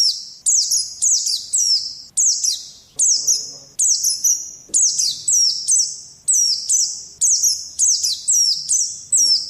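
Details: Oriental white-eye singing, played as training audio for pet birds: a steady run of bright, very high, sharply falling phrases, each lasting under a second, repeated continuously without background noise.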